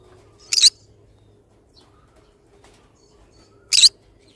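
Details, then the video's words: Pet pineapple green-cheeked conure uttering two short harsh squawks about three seconds apart, with a steady low hum in the room between calls. "pineapple conure sound"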